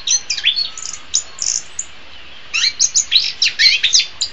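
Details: Orange-headed thrush (Geokichla citrina), a captive songbird, sings a rapid, varied run of high, sweet whistles and chirps in two bursts with a brief pause between; a tutor recording for training birds, best played in morning or afternoon.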